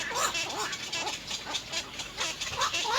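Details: Little egret nestlings, three chicks begging food from their mother, give nasal, wavering squeals that rise and fall in pitch, repeated quickly about three times a second, loud and chattering over background hiss.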